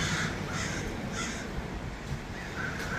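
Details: Many crows calling in Los Angeles, harsh caws repeated about every half second with several birds overlapping, over steady low background rumble.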